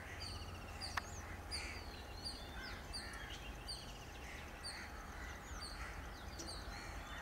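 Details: A Red-whiskered bulbul (Pycnonotus jocosus) calls at Thrissilery, giving short, bright chirping notes about every second, with thin high ticks from other birds over a steady low rumble.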